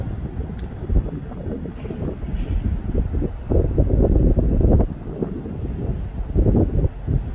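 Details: Male common kingfisher calling for a mate: short, thin, high whistles with a falling tail, repeated about every one and a half seconds, over strong low rushing water noise.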